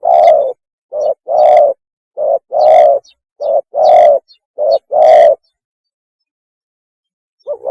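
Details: Loud, slightly harsh mating coos of a spotted dove, alternating short and long notes about once a second, then a pause before a faint new phrase. No other sounds.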